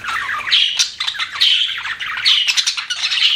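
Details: Pet budgerigars chirping: harsh, buzzy warbled chatter with squawky notes rising and falling, loud bursts recurring roughly every second with brief dips between.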